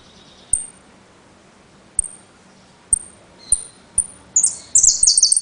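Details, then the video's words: Several evenly spaced, thin, very high pips from a caged saffron finch (jilguero) in Trenque Lauquen, speeding up into a short burst of rapid shrill notes at the close. "JILGUERO AUDIO "EL CORRENTINO" ( repique, golpe y pitadas)"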